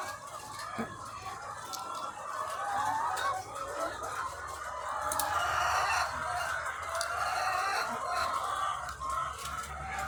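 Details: Many thousands of egg-laying hens on a farm cluck in a rapid, restless chorus that swells in the middle. Sharp squawks break through, over a persistent low mechanical hum.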